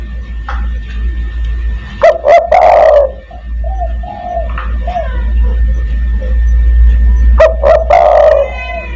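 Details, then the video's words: Spotted dove giving a call to summon other doves, in the 'kuk 1' style: two bursts of low, rolling coos with sharp clicking notes, separated by quieter faint cooing over a steady low hum. "burung DERKUKU tekukur master gacor kuk 1 sangat mewah untuk memanggil teman"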